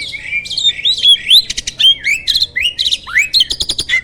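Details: Starling champion with varied, loud song used to train contest birds: a run of rising and falling slurred squeaky whistles, interrupted by short bursts of dry clicks.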